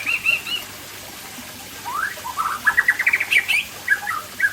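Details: Afternoon song of an Aceh white-rumped shama: a few high warbled notes, a pause, then a rising burst of quick chirps and slurred whistles that climb in pitch.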